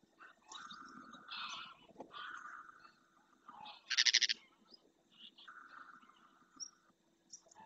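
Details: Large flock of greylag geese, wintering in Spain, flying back to the lagoon in early morning light over the Doñana National Park marshes; harsh, nasal honks in overlapping bursts, with a loud, sharper cry near the middle and quiet gaps between calls.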